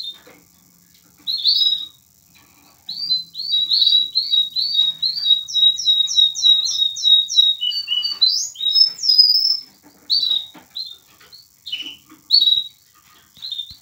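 A canary–linnet hybrid sings a lively, high finch-like song of rapid twittered trills and repeated chirps in varied bursts, with short pauses between phrases.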